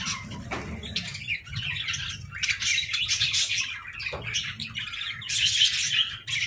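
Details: Aviary budgies chatter and squawk. Short bursts of harsh, high warbling come and go in waves, with two brief low knocks breaking in.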